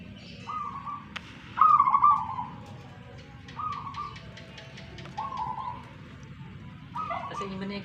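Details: Zebra doves of local wild stock in Tuban, East Java, Indonesia, competing in song: a run of five mid-pitched cooing phrases. One is loud and stuttering, the others softer and steady, with scattered sharp clicks in between.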